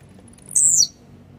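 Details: Grumpy, spirited tiziu, or Blue-black grassquit, delivering a single brief buzzing note that starts very high and slides downward, over a steady low background hum.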